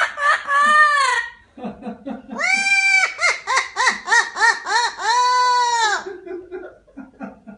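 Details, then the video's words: Pet parrot giving a devilish laugh: harmonic, rising-and-falling hoots repeated about three per second in a 'ha ha ha' rhythm, with shorter squawked notes before and after. "Funny parrot | Devil laught"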